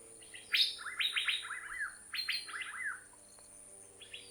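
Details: Asian fairy-bluebird in Thailand: two rapid phrases of loud, slurred descending whistles, each opening with a sharp high note, followed by a brief faint note at the end.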